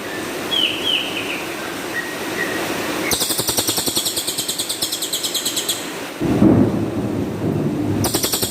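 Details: Cililin bird singing its rough tembakan kasar volleys, meant as master song for training champion songbirds: soft high whistled notes first, then a harsh buzzy burst pulsing about three times a second, starting again near the end.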